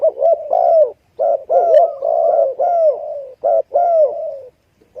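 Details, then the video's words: Spotted dove calling in dense, almost continuous low coos, with mellow notes bending up and down and only brief breaks. The overlapping phrases suggest more than one dove calling close by. "spotted dove sound"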